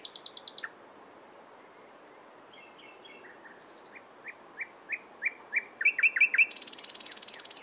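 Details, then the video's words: Nightingale singing: a fast high trill opens, then a pause, followed by a series of short sharp notes growing steadily louder and quicker, ending in a rapid buzzy rattle high in pitch. "It turned out to be a nightingale | Real sound for more than ten minutes is so intoxicating"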